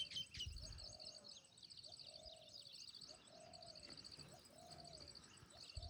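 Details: Baya weavers in Jim Corbett National Park give a steady, high, wheezy chatter from several birds at once, while a dove coos low and repeatedly, about once a second.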